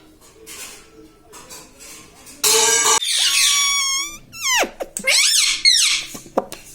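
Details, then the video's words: A pet parrot, said to say "mithu" and "mummy papa", mimics speech in squeaky, nasal phrases with sliding pitch after a harsh rasping burst, following a few seconds of quiet room noise. "Parrot talking mithu mithu || mai bolunga || मम्मी पापा बोलता तोता"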